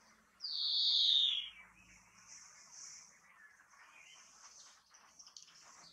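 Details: European greenfinch singing: one loud, drawn-out nasal wheeze that slides downward and lasts just over a second, followed by faint twittering from other birds in the background.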